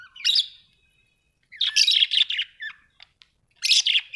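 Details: Australian budgies give a sharp chirp, fall silent, then break into a longer scratchy warble with a few clicks before a final harsh burst. The background is clean and quiet.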